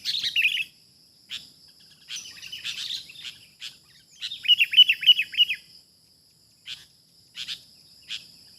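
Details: Wild sooty-headed bulbul during trapping: a bright rippling phrase of slurred notes opens, then scattered chirps, a loud burst of six rapid rising-falling notes, and a few isolated sharp ticks spaced apart, with a steady faint hum throughout.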